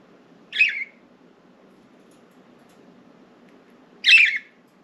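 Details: Budgerigars kept as pets and let out of the cage to sit on window blinds; two sharp, raspy chirps about three and a half seconds apart, with quiet indoor background hum between.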